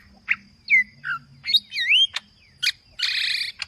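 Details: Lombok green leafbird in aggressive full song: varied whistles, a looping slurred phrase, sharp chirps and a harsh buzzy rasp near the end, delivered in quick succession.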